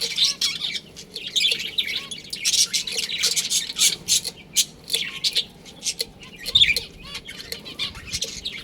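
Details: Pet budgerigars in a colony, among them a breeding pair, produce steady chattering: high twitters, raspy squawks and soft clicking notes repeated at a fast, uneven pace.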